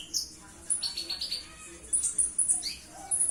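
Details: Purple-throated sunbird, locally called konin, a kept songbird prized for its sweet voice and mimicry of other birds' songs; very high thin twittering notes and short whistles in scattered bursts, fairly faint against a quiet background.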